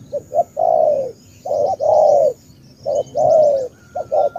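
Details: Vietnamese Cà Mau tú spotted dove cooing loudly and close. Double short notes precede long, full, downslurred croons in quick succession. Faint high chirps are audible.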